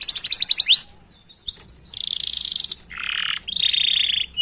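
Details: Canary chirping roll meant to spur other canaries into song: a quick rising trill ending in an upswept whistle, a pause, then several buzzy sustained rattling phrases at different pitches.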